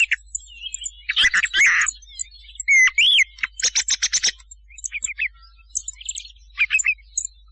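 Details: Thrush call played to lure birds for hunting at night: bursts of rapid buzzy high notes, a clear slurred rising-falling whistle, then scattered short chirps and trilled clusters separated by brief silences.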